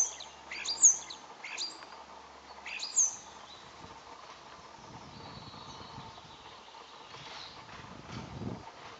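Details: Common starling in courtship: sharp clicks and thin, high whistles fill the first three seconds. Fainter drawn-out whistles and a soft rustle follow over a quiet background.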